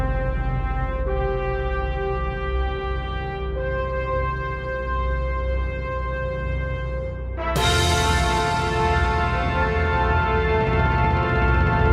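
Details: Sustained brass-like music with deep horn tones and layered chords that swell louder near the end; no animal voice is heard.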